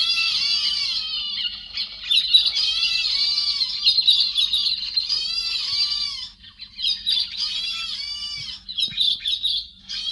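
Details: Harsh, grating squawks of a héc xoan bird, a cleaned-up recording meant for drawing in flocks, with long runs of rasping notes repeated several times a second and short dips into quiet.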